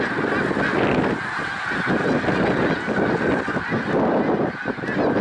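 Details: Snow geese at Middle Creek Wildlife Refuge, Pennsylvania, recorded 1 March 2021. Dense flock clamour of overlapping honks, steady and loud, with some closer birds giving coarser calls in short bursts.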